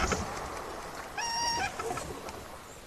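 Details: Brown-crowned Tchagra (Tchagra australis) calling on a sunset safari drive, Rietspruit Game Reserve, South African Lowveld, 14 January 2024: a single nasal, reedy half-second note over a low engine rumble and faint background chatter.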